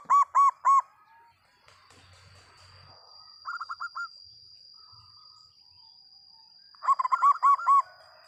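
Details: Loud local zebra dove song: a quick burst of three ringing coo notes, a softer rapid trill of notes in the middle, then another fast bubbling series, with a constant thin high whine behind.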